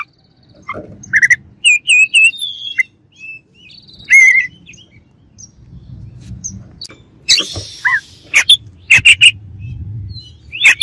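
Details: White-rumped shama giving whistled and warbled phrases, a few harsh rasps and clicking notes, over a soft low hum in the background.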